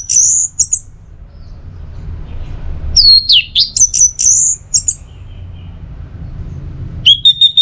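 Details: Orange-headed thrush used as teler tutor material: high, piercing whistled phrases, including a long wavering note and quick descending slurs, broken by a two-second silence and then a final burst of clipped, repeated notes.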